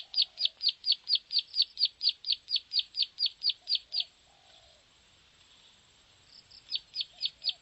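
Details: Plain prinia call used to lure birds: a fast series of sharp, high chipping notes at about two per second, a pause of roughly two seconds, then the series resumes; faint low background sounds.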